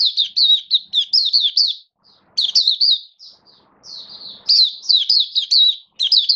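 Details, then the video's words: Oriental white-eye kept as a hobby songbird, recorded 21 October 2022 during a song display, gives bursts of high, sweet warbled chirps in quick runs. The song pauses briefly near the second and fourth seconds before resuming. "Mata Puteh Buka Sing Raja"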